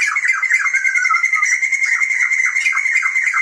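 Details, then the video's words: Continuous loud laughing chorus from a pair, male and female, of Sumatran white-crested laughingthrushes, a protected endemic bird of Sumatra; dense, harsh, rapidly pulsing cackles over a steady high tone throughout. "Poksay Jambul Sumatera Gacor Jantan dan Betina (Sepasang)"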